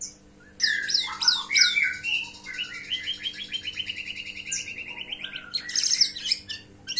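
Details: White-rumped shama song played as a lure to make birds answer: dense chattering notes, then a long rapid trill of repeated notes, ending in harsh scratchy bursts.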